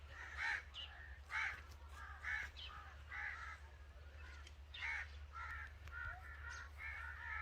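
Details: Angry crow giving harsh, raspy caws roughly once a second, some in quick pairs, over a steady low hum.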